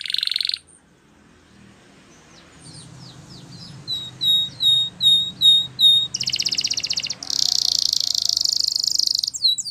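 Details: Canary singing a training song: a brief buzzy trill, a quiet gap, a run of soft then louder whistled slurred notes, and finally two long, intense rolling trills.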